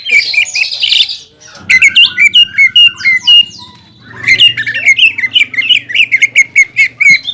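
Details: Cucak ijo, the greater green leafbird, in champion tutor song with rich fill and harsh shots: scratchy chatter, then volleys of sharp jumpy chirps and whistles separated by a short lull.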